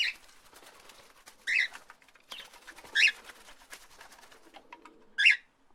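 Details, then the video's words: Parrots calling: short harsh squawks repeated about every one and a half seconds, with faint clicking and rustling between calls. "Beautiful parrots chirming and making beautiful sounds"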